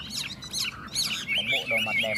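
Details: Chinese hwamei from Tuyen Quang, Vietnam, singing in a contest between two caged birds: harsh buzzy rising notes, then a series of bright wavering whistles, with low background noise.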